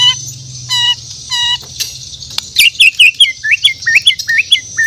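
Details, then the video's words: White-rumped shama (murai batu) from Borneo in morning song: a few clear whistled notes with overtones, then a fast series of sweeping, upslurred whistles, with constant high background hiss. "The Best Bird Singing In The Word || Murai Batu Borneo"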